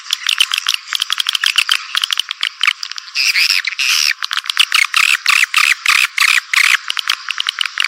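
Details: Swiftlet calling sound of the 'walet naga' type for attracting birds: fast, stuttering high clicks and chirps, with a mid-clip stretch of continuous buzzy twitter and then regularly spaced chirp bursts.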